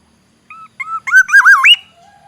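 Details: A black-naped oriole (Oriolus chinensis) from the forests of Aceh, Indonesia, sings: two clear fluty notes, then a rich, wavering liquid phrase that swoops upward at the end, with no other sounds.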